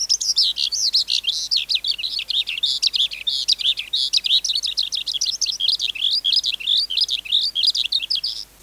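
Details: Wild-caught adult skylark singing a continuous, rapid high warble of short twisting chirps and trills, dense and unbroken throughout, with no other clear sounds.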